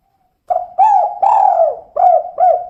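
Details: A female spotted dove, called tekukur, coos a single five-note kuk-kuk phrase. The low mellow notes have a long drawn coo in the middle and two short closing coos, in quiet surroundings.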